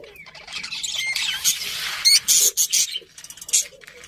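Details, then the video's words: Budgerigars chattering: a continuous scratchy warble that breaks into louder squawky chirps and a few short whistled notes, uneven in rhythm, with a faint background murmur. "Cute Budgies Chirping Sounds"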